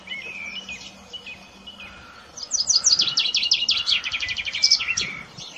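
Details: Common chaffinch song: soft, scattered high notes, then a bright, fast run of repeated notes that falls in pitch and ends in a short flourish.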